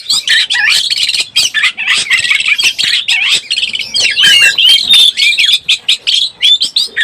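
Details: Oriental magpie-robin lure song for birds in breeding condition: energetic, high, scratchy chattering mixed with quick whistled slurs, sustained for several seconds with short breaks.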